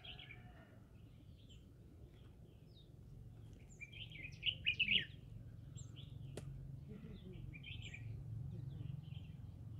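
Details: Green-cheeked conure singing in the middle of a rice field: soft high chirps scattered throughout, with a short loud cluster of harsh, buzzy chattering notes near the middle, one sharp click, and a constant low hum underneath.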